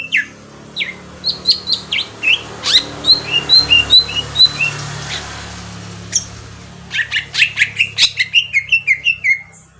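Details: Green leafbird from Kalimantan singing as a lure to prompt a reply: evenly spaced falling whistles roughly twice a second, a brief pause, then a fast tumbling series of bright chirps over a faint low hum.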